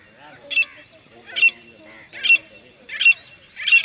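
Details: Grey francolin calling: five sharp, ringing high bursts, each with a brief pure whistled note inside, repeated about every 0.8 seconds. Faint lower murmuring carries on beneath.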